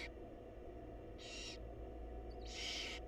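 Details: Wild barn owls in a nest box as the mother brings food to her chicks; two breathy rasping hisses, the second louder and longer, against a constant hum.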